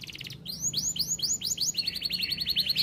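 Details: Canary in full master song with luxurious phrasing: arching whistled notes repeated quickly, then a fast buzzy trill of rapid notes, bright and high.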